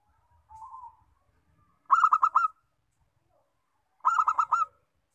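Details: Local zebra dove: a soft low hum, then two bursts of rapid, rolling, pulsed cooing, about two seconds apart, in a quiet setting.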